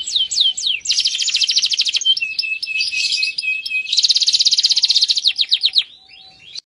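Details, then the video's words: Male canary singing vigorously, opening with a few sweeping whistles, then long fast rattling trills at changing pitches, a short steady tone, another rapid trill, and fading notes at the close. "kicau kenari jantan gacor"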